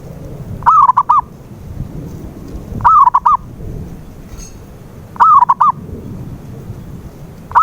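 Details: Repeated zebra dove coo as a lure to get a silent dove singing: three full phrases and the start of a fourth, roughly every two and a quarter seconds, each a warbling note plus two clipped coos.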